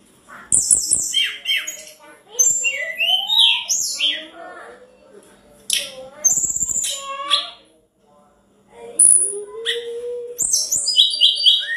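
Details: Sunda robin singing hard to trigger a response from rival birds: varied phrases of high thin whistles, buzzy rattles and slurred rising notes, broken by short pauses, continuing for about twelve seconds.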